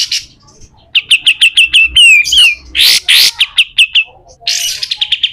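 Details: Harsh 'besetan' song of a lively pied triller, used as a training recording for other birds: quick bright notes about three per second, a falling whistle, then loud rasping hissy bursts and more rapid repeated notes.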